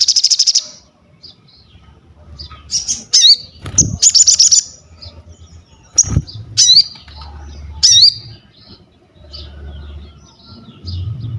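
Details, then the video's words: Crested jay calling actively, for training and luring birds: a short opening rattle, then spaced sharp chirps and repeated squeaky looping whistles every second or two, over low background rumble. "SOGON GACOR UNTUK ASAH MENTAL, MASTERAN DAN PANCINGAN BUNYI"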